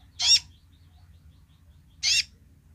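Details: A sunbird's basic call: two brief, high, buzzy chirps about two seconds apart, with a faint low hum underneath.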